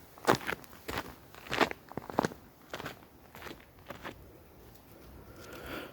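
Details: Crunching footsteps on dry ground come in uneven bursts and fade toward the end, with no animal calls heard.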